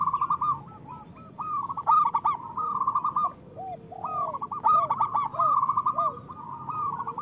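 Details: Local zebra doves, loud and used as a trapping lure and to stimulate doves that sing little. Overlapping birds give repeated trilled coo phrases in waves, with lower hooked notes between bursts.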